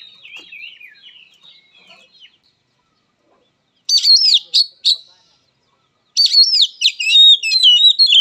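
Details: Soft twittering opens this oriental magpie-robin fighting song, then silence, then loud phrases of grating buzzes and curling whistles, with a longer rich warbled phrase at the end.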